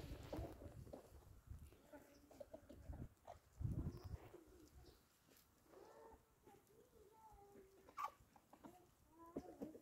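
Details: Chickens out eating in the open; gentle low clucks and soft, wavering tonal calls rise and fall irregularly, mixed with occasional thumps and rustling from feeding.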